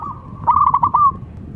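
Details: A local zebra dove (perkutut), an energetic singer, whose cooing is used as a lure to get silent doves to call. It gives a soft opening note, then about five quick staccato low coos ending in a longer drawn-out note, over faint background hum.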